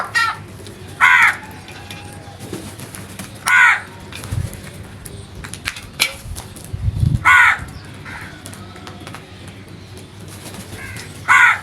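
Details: Loud, harsh crow caws given singly at irregular intervals of about two to four seconds, five calls in all, with low rumbling background noise and faint distant sounds between the calls.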